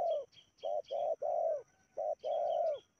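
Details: Spotted dove used as a decoy to lure wild doves down to a trapping ground in Indonesia. Six low, hollow coos in quick succession, some short and some drawn out, with faint high chirps from other birds above.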